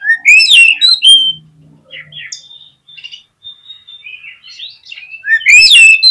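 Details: Oriental magpie-robin song meant to goad a reluctant bird into fighting display: loud, ringing upslurred whistles at the start and end, with quieter, thin warbled notes in between.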